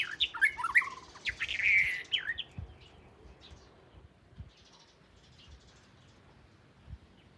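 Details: The first Oriental magpie-robin at the home, in southern Thailand, gives a quick two-second run of varied, clear whistled notes, then trails off into faint scattered notes over soft thumping background noise.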